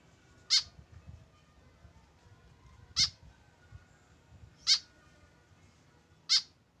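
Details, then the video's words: A lone tame white-breasted woodswallow without a companion repeats a short, harsh, nasal call four times, roughly every one and a half to two and a half seconds, over a low background rumble. "KESEDIHAN BURUNG KEKEP BABI TANPA TEMAN"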